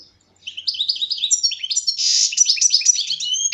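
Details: European goldfinch, captive since its capture last year, delivering an unbroken stream of rapid, high tinkling twitters with a short harsh buzzy note in the middle.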